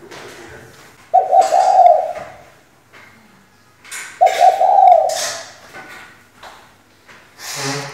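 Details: Spotted dove female calling as a decoy to excite males into song: two grainy, level coos about three seconds apart, amid scattered clicks, knocks and rustling noises.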